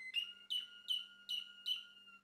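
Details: Male Malinois Waterslager canary singing: five bright, repeated phrases about every 0.4 seconds, each opening with a sharp high attack and then falling into a long, level, pure whistled tone. The room is otherwise quiet, with a faint low hum.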